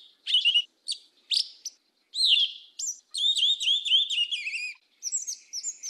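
A Yellow-legged Thrush sings rapid, varied phrases of high, bright chirps and slurred whistles, some notes sweeping down, delivered in quick bursts with short pauses.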